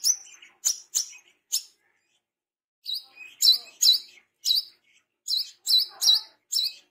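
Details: A tame Brown-throated Sunbird gives lively song: sharp, high chirps and short twittering phrases in quick bursts, about two or three notes a second, with brief pauses between groups.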